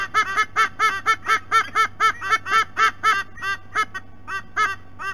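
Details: Adult White-bellied sea eagles calling together at their nest, Sydney Olympic Park, Australia; a fast, even chain of honking notes that slows and softens toward the end, a low background hum throughout.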